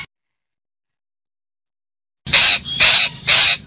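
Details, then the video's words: After a long pause, a calling parakeet gives three harsh, scratchy screeches in quick succession, steady in loudness and evenly paced. "KICAU BETET MEMANGGIL"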